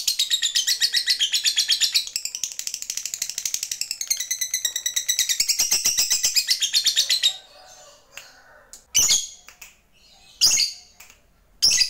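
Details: Lovebird, fighter type, calling a rival in a long ngekek: seven seconds of continuous rapid, high, rasping chatter in pulsing phrases, then silence broken by three sharp shrill chirps.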